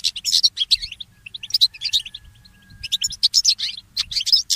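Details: Early-morning song of a goldfinch mule hybrid: bursts of rapid, high twittering notes broken by short pauses, with a faint steady tone in the middle.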